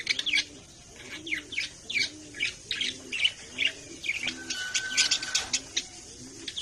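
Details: Pet budgerigars chattering in rapid high chirps and warbled tweets, repeated more than twice a second. A soft low cooing pulse recurs steadily in the background.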